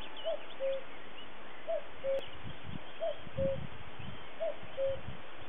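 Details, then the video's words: Common cuckoo recorded in 2017 on Winsford Hill, Exmoor, near the Caractacus Stone, gives its falling two-note 'cuck-oo' four times, about every second and a half, over low wind rumble. "Sound of Cuckoo"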